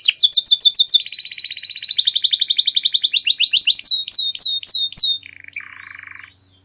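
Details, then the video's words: Canary singing a very clear masteran song: rapid repeated trill notes rolling into a dense sustained trill, then sharp descending chips, ending in a lower buzzy rattle after a click. "MASTERAN KENARI SUARA PALING JERNI"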